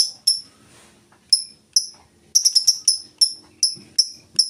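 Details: Lovebird in full ngetik song without ngekek chatter: crisp high-pitched ticks, first sparse, then a fast run of chirps repeated two to three per second, over faint low background rumble.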